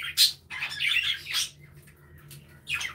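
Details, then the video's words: Budgerigars kept in an aviary, a few harsh squawks and chirps separated by a near-silent stretch. "Happy Budgies Sounds"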